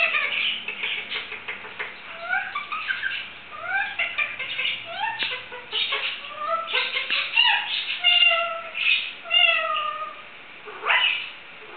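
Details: Indian ringneck kept as a pet imitates a cat's meow, barking and chicken noises while trying to sing: rapid run of rising whistled slurs, chattering squawks and meow-like wails in a small room.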